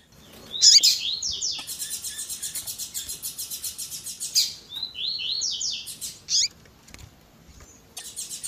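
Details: A male double-collared seedeater of the "tui tui zel zel" song type sings high, bright phrases of quick buzzy repeated notes and sharp chirps, mixed with female calls, edited to excite and stimulate other seedeaters to sing.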